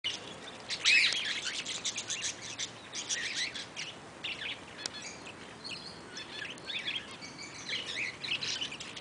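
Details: Eastern rosella (Platycercus eximius) at Velserbeek: a loud, sharp, high chirp near the start, then many shorter bright chirps and tweets scattered through the rest, with a faint hiss in the background.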